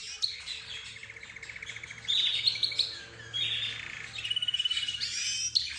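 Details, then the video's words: Canary with budgerigars, zebra finches and another cage bird: buzzy trills and varied whistled phrases, fast clipped chirps in series, and a bright high whistle, set over a faint steady low hum. "حديث الطيور_سبحان الله | ماذا يقولون الله اعلم"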